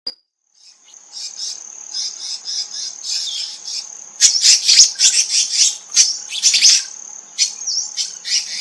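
Black-naped monarchs give a string of sharp, high chirps and harsh rasping bursts, several birds calling together, over a steady high-pitched insect drone.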